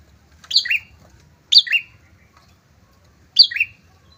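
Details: Prinia pair recording used to lure rivals; three separate sharp chirps, each a high note slipping down to a lower one, spaced one to two seconds apart.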